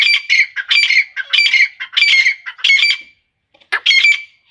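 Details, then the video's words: Female grey francolin, Iranian type, calling steadily: a rapid rhythmic series of rasping, high squeaky notes, a short pause, then the series resumes. "Irani Madi ke Awaz. ایرانی مادی کی آواز تیتر کی آواز"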